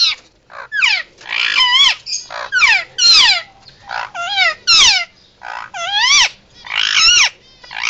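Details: Pet Indian ringneck parakeet, a male raised from weaning, giving emergency sounds: loud, harsh screeching squawks in rapid bursts of falling and rising notes, about a dozen calls in eight seconds with brief gaps between.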